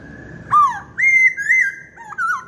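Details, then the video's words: Singing masked laughingthrush delivers a few strong whistled phrases, each one falling, held level or slurred. Faint low background noise runs throughout. "Burung Poksay Hongkong Gacor"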